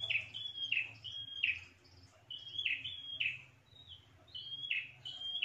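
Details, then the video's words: Prinia lure call meant to bring rivals close: paired notes, a flat high whistle then a buzzy falling chirp, repeated in bursts with short pauses, low hum beneath. "SUARA PIKAT PRENJAK TANPA ZONK"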